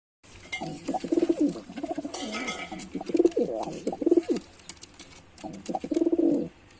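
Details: Male white pigeon performing: a series of low throaty coos in pulsed bursts, with a longer gap before a final cooing phrase near the end; faint clicks and shuffling in the background.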